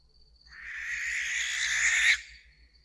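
A barn owl gives one long, harsh, hissing screech lasting about one and a half seconds, broad and noisy with a rasping edge, then stops abruptly.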